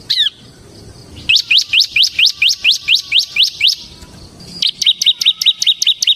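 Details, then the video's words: Bar-winged prinia (ciblek semi) in vigorous, continuous 'ngebren' song: one brief high note, a pause, then a fast run of about ten sharp downslurred chirps, then a second series of clipped high notes repeated rapidly. "suara burung CIBLEK SEMI GACOR Ngebren"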